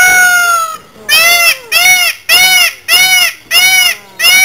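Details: A male Indian peafowl showing off at Auckland Zoo gives a loud, nasal, harmonic call, then a run of six short honking notes about every two-thirds of a second; a child's voice is heard nearby.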